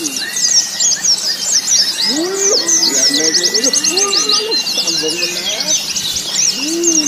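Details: Pleci white-eyes in a contest simulation used to build a bird's mental toughness for busy competitions: a thick wall of rapid, high chattering phrases from several birds over low human voices and crowd noise.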